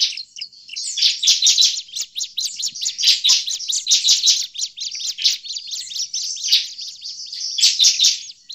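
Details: Agitated bar-winged prinia calls used to lure the species: fast, overlapping high chirps in steady pulsing bursts, almost without pause for the whole stretch.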